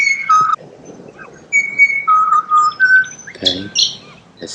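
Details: Whistled song of a pied butcherbird in Australia: clear, fluting notes held briefly at a few steady pitches, stepping down and then up, with a brief human voice and scattered harsher chirps near the end.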